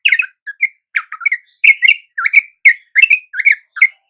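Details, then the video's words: Dawn response of a sooty-headed bulbul swooping toward a lure of its own kind: chattering, uneven whistled notes and short bubbly phrases, some squeaky, loudening midway into a steady run of paired notes. Quiet surroundings. "RATA-RATA TRUCUK macet LANGSUNG NYAMBER dan IKUT BUNYI dengan pikat TRUCUK shubuh ini"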